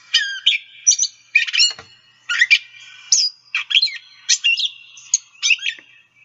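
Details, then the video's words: Song of a Gray Catbird, mimicking calls and noises of other birds with each phrase given only once, mews and catbird calls mixed in: rapid varied squeaky, scratchy and whistled notes in a hodgepodge series with brief pauses. "or each phrase is given as a single phrase."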